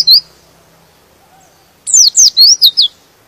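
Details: White-eye singing to agitate other birds: a lone high falling chirp, a long quiet gap, then five quick, piercing notes that each slide downward.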